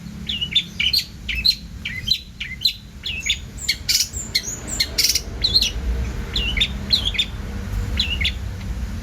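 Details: Cendet (long-tailed shrike) in vigorous song: repeated slurred, whistled phrases that rise and fall, broken by a few harsh, noisy bursts in the middle.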